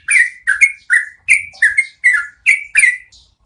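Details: Yellow-vented bulbul (trucukan) singing for cage-bird training: eight loud, rich whistled phrases, each sliding downward, some doubled, spaced about every half second.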